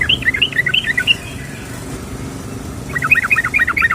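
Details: Female yellow-vented bulbul calling the male: two bursts of quick, bubbly, warbled notes, the first lasting about a second, a pause, then a second burst, with faint background hum.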